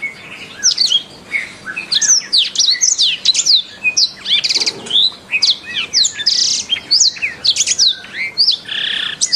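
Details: Canary master song used to train other songbirds: a dense, continuous stream of high slurred whistles and sharp chirps, sweeping up and down, with brief bursts of rapid rolling notes and barely a pause throughout.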